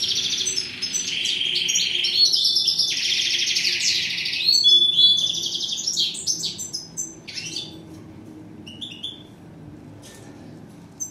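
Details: Goldfinch song, known in Morocco as steyla: a loud, dense stream of fast twittering and buzzy chatter for about seven seconds, then fading into scattered short chirps, with background hiss throughout.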